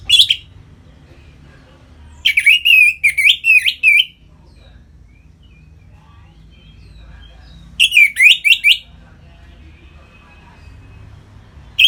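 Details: Captive orange-headed thrush (anis merah) singing in the full 'ngeplong' style, used to stimulate other birds into breeding condition; two bursts of fast slurred whistled notes separated by long quiet gaps, with a low steady hum beneath.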